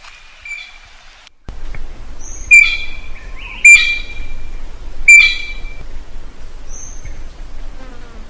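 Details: Common green magpie calling for a mate outdoors; loud sharp whistled notes repeated roughly every one to one and a half seconds, over a steady low rumbling background hiss.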